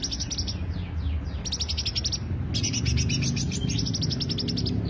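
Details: Greater green leafbird lure song: varied bright trills and downward-sweeping whistled slurs, delivered in quick successive phrases with a short gap, over a low continuous hum.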